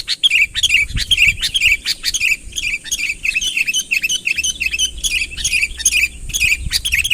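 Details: Sooty-headed bulbul calling eagerly to draw a rival closer, natural voice without added songs; dense, quick chirping notes near the upper-middle pitch run almost continuously, with short bright trills and a faint low rumble underneath.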